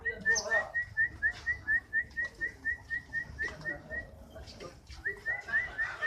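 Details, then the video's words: Canary, kenari fighter type, singing a long, even chain of crisp whistled notes, roughly three per second, at one steady pitch, briefly broken before resuming. "Burung kenari faigter"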